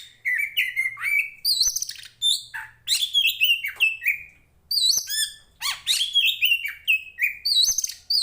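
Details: Song of an Oriental magpie-robin kept for training birds for contests: loud varied phrases of whistled upslurs and downslurs, rich trills and sharp high notes, sung in steady bursts with brief pauses, a low hum beneath.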